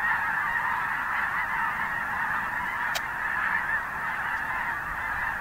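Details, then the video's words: Snow geese massed on a winter marsh at Richmond near Vancouver, Canada, on Christmas Day 2018: countless honking voices merging into one steady roar, with a single sharp click midway. "Snowgeese on the marsh"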